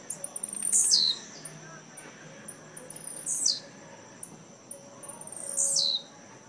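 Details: Blue-black grassquit at a song tournament in Jacarepaguá, Rio de Janeiro, 18 November 2017: three short, high buzzy notes that sweep downward, about two seconds apart, over a steady high insect-like hiss and faint background chirps.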